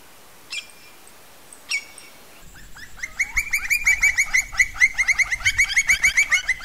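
Campo Flicker: two brief sharp notes, then a fast, loud run of harsh, ringing calls repeated about three times a second, possibly more than one bird.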